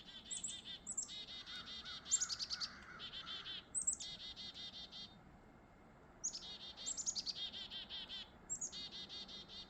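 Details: A pair of chickadees calling on a foggy, mild winter morning: a high thin note, then rapid series of buzzy, harsh 'dee' notes, repeated in about four bursts with brief pauses, over a faint low hum.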